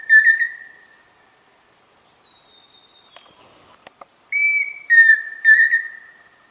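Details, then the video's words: Pheasant cuckoo whistling: the fading end of one phrase, a quiet gap with a faint thin descending whistle and a few clicks, then a fresh series of three pure whistles, the first higher and the next two slightly lower. "Som de Peixe-frito / Dromococcyx phasianellus"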